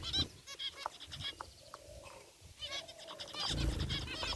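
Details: Zebra finches kept in an aviary, white and gray birds, calling: short nasal toots in clusters, a lull, then a renewed flurry over low background rumble.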